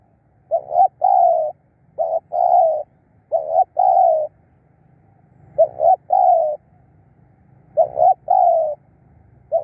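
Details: Spotted dove decoy calling to lure wild doves: a run of five phrases, each a short clipped note then a sustained hoarse coo, repeated roughly every one to two seconds over faint low rumble.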